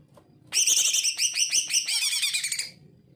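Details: Greater green leafbird singing energetically, played to stir leafbirds that are lazy to sing: a dense burst of rich, tumbling chattering notes lasting about two seconds, then quiet.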